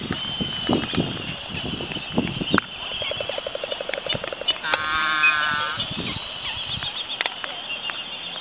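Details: Laysan albatrosses performing a mating dance on Midway Atoll, giving a short rattling clatter followed by a drawn-out, wavering harmonic groan, amid a continuous high-pitched colony din and occasional thumps.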